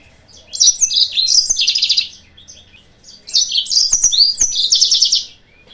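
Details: A yellow-fronted canary in full song, played as a lure to provoke rival birds. Two long phrases of fast, high twitters and buzzy trills are split by a short pause, with faint clicks in the background.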